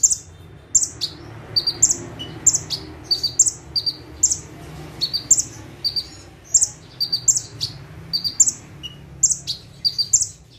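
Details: Bar-winged prinia, perched in one place, giving an active 'tembakan' song: sharp, very high chip pairs that step up in pitch, repeated steadily roughly once a second over a quiet low background hum.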